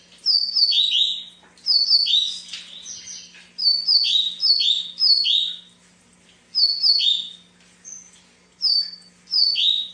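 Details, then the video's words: Double-collared seedeater, coleiro, singing repeatedly: short clear whistled phrases of descending slurred notes, delivered about every second with brief pauses, a low steady hum underneath. "Canta muito"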